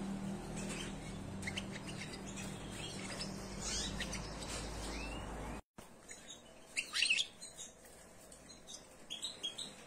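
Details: European goldfinches mating in a cage give quick, high tinkling chirps and twittering notes in scattered bursts, with a steady low hum in the first half.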